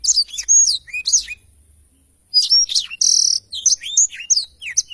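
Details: Energetic song of a black-throated canary, recorded for tutoring other songbirds: bright whistled phrases and sweeping slurs, a pause of about a second, then buzzy high trills and chirps.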